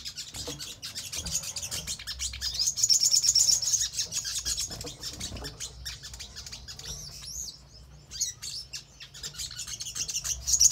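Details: Crimson sunbird (sogon) lure song used to make captive birds respond and sing: a fast, high, thin stream of sharp chirps and twittering trills, almost three notes a second.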